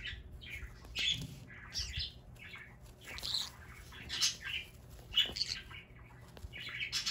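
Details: Playing pet green-cheeked conure in a Japanese home in Aichi gives loud, rasping squawks in irregular bursts, roughly one a second, with softer chirps between them.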